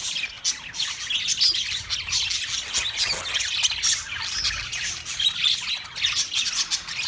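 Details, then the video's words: A group of Australian parrots, March 15, 2024, producing a constant chorus of high, scratchy squawks and chattering calls, rising and falling in loudness. "Sounds of Australian Parrots"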